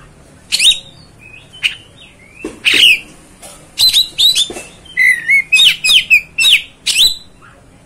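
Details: Luring song of an Oriental magpie-robin meant to stir another bird: scattered sharp chips and harsh bursts build into a fast series of bright whistled, down-curving notes repeated roughly every half second.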